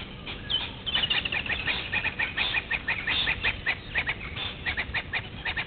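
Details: Blacksmith lapwing at Gowrie dam waterhole, Djuma Game Reserve, Sabi Sand Wildtuin, South Africa, 06:45 on 03/02/21: loud, sharp metallic clinks repeated rapidly and unevenly, several per second, over faint background hiss.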